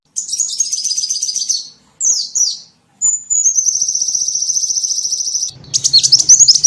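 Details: Lure recording for drawing in small birds: a high rapid trill, two sharp falling chirps, a long sustained buzzy whistle lasting over two seconds, then quick warbling notes with a low hum underneath.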